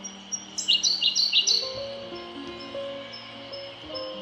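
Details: Siberian blue robin calling on Mt. Haruna: a quick burst of about six sharp, high, clipped notes in a rapid rattle lasting under a second, then quiet with steady low humming tones in the background.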